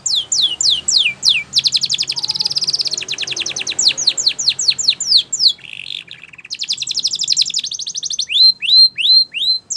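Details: Canary singing in a training recording, Spanish Timbrado style named: rapid series of descending whistled sweeps, fast buzzy trills and metallic rattles, phrases changing every second or two.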